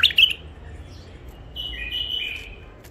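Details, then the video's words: Raw wild bulbul, caught long ago near the Mandali crossing and newly isolated: one loud warbled phrase at the start, then a longer fluty, wavering whistle after a pause, over a low steady background hum. "بلابل وحشيات خامات كاع منفذ مندلي لسانات روعه"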